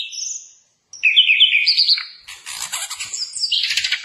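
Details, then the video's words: Flycatcher song for tutoring caged birds: a high whistled note, a short pause, then rising and falling whistled phrases that end in a burst of rapid, scratchy chirps. "Suara Masteran Burung Sikatan londo Gacor"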